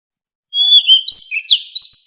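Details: Oriental magpie-robin forest-voice song for voice training of captive fighting birds: a long, level whistle slides into quick rising and falling notes, with a sharp upsweep near the end.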